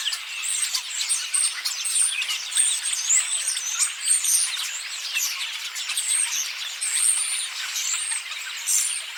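A flock of starlings keeps up a dense, continuous chatter of overlapping high whistles, squeaks and clicks, with no clear pauses.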